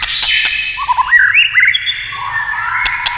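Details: Tail-tapping clicks encourage a white-rumped shama to sing: bright whistles, a rapid low trill, and looping slurred notes that fade into a soft held tone.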